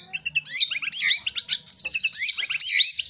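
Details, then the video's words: Dense, rapid white-rumped shama song featuring its lavish filler notes and bowing delivery: tumbling sequences of sharp swooping whistles and chattering notes packed closely, with a buzzy high trill in the middle. "MURAI BATU KAPTEN JRG || IDENTIK GAYA SUJUDNYA ,TEMBAKAN ISIANYA YANG MEWAH"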